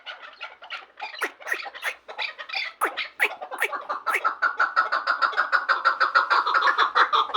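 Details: Chukar partridges from Vanj, described as two of the best birds, giving a series of harsh clucking notes that start scattered and sharp, then speed up into a steady, rapid, even chuk-chuk rhythm toward the end.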